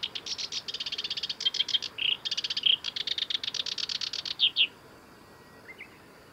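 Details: Black-browed reed warbler singing at the North Fuji Maneuver Area, Japan, on 23 July 2021: rapid series of high, dry chattering notes repeated in quick bursts, with brief clear whistled accents, ending abruptly after about four and a half seconds.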